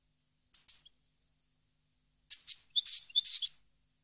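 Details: European goldfinch song, 2015: two faint early chirps, then a short liquid twittering phrase mixing bright chirps with a thin, slightly buzzy sustained note.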